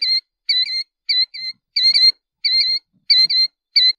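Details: Killdeer (Charadrius vociferus), song.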